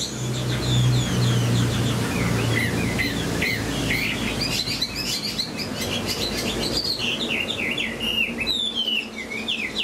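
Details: Captive Chinese hwamei left to sing at length: quick sequences of sharp, repeated whistled notes and slurred phrases, rapid and busy, over a low steady hum and some background noise.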